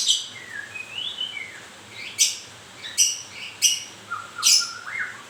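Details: Moulting white-rumped shama: gliding whistled phrases at first, then sharp clipped high notes repeated about every 0.7 seconds, closing with low rising whistles.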